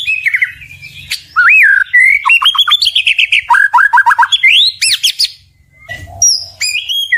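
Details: White-rumped shama song, varied and melodious: looping whistles, fast rattling note series and high sweeping phrases, with a short pause near the end before more whistled notes.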